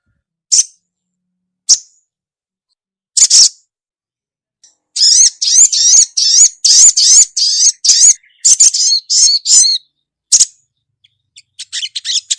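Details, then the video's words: Calling for a male, a female ruby-cheeked sunbird gives a few widely spaced high chirps, then a lively five-second stretch of rapid twittering notes, then more scattered chirps. "SUARA SOGOK ONTONG BETINA GACOR MEMANGGIL JANTAN"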